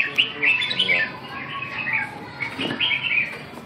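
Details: Caged Red-whiskered Bulbul singing, described as sounding rather weak. It gives short warbled phrases of bright mid-high notes in uneven bursts, with brief pauses, a low hum and a faint knock in the background.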